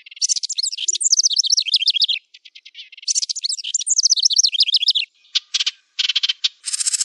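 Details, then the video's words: A wren's loud, rapid song: a burst of high sweet notes runs into a fast descending trill, repeated twice, followed by short dry rattles; used as a training recording for songbirds. "Suara Masteran Burung Wren"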